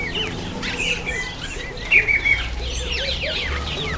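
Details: Masked weaver during its September–October breeding season: a sustained whistled note amid wheezy chirps and twittering from other birds, with a soft low rumble in the background.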